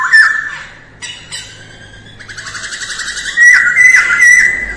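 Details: Masked laughingthrush singing at daybreak during voice training, mixing whistled phrases with buzzy rattling notes and ending in loud, sustained bright whistles.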